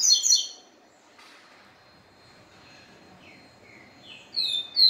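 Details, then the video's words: Caged capim seedeater, excited after a day spent with a female, giving bursts of high whistled notes that drop in pitch, loud at the start and end with quieter slurred notes between; a steady faint tone in the background. "Papa capim"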